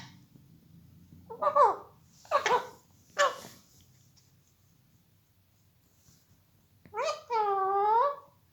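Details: A pet Indian ringneck parrot that is beginning to talk and makes many different sounds gives three short, rough squawks about a second apart, then a longer warbling, harmonic call near the end, in a quiet room.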